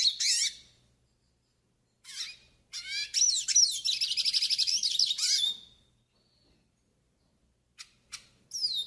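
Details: Pintassilgo do Nordeste song for teaching and warming up: an opening high chirp, then a steady run of rapid repeated buzzy notes lasting about three seconds, followed by scattered brief chirps.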